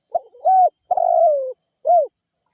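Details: Spotted dove giving a lure call to make other birds answer: a faint lead-in note, a steady rounded coo, a long descending drawn coo and a crisp short final coo, clean and close.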